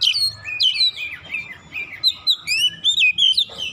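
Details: Oriental magpie-robin singing to provoke other birds into song: continuous varied whistling, with upward and downward slurs and bright looping notes in close succession, faint low hum beneath.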